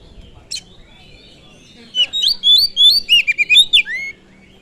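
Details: Oriental magpie-robin singing as a lure to rouse other birds: after a faint note, about two seconds of rapid, clear whistled phrases with sliding and dipping notes, ending on a downward slur.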